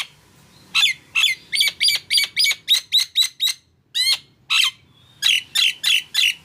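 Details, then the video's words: Nias hill myna singing: a fast series of loud whistled chips with squawky overtones, a brief pause, two downslurred whistles, then another quick burst of chips. "JALAK NIAS GACOR"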